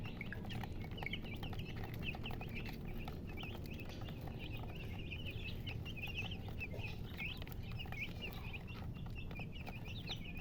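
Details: Chickens chirping nonstop: many high, short peeps tumbling over each other in a steady chorus across the whole clip, above a low, constant background rumble.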